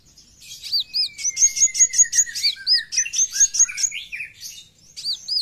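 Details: Energetic full besetan song of a brown-throated sunbird (kowul): rapid strings of high sharp ticks mixed with hooked up-and-down notes, with a thin descending whistle running underneath early on, continuing almost without pause.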